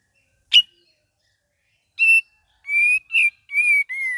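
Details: Cream-vented bulbul, gacor and ngeriwik variation: an isolated sharp chip, a pause, then a quickening series of clear whistled notes at a steady pitch with bright harmonics.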